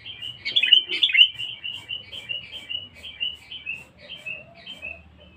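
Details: Sooty-headed bulbul, described as very vocal and fierce, used as a lure bird: a loud opening burst of bubbly, slurred whistles, then a long run of short, rolling chirps repeated roughly twice a second and fading toward the end.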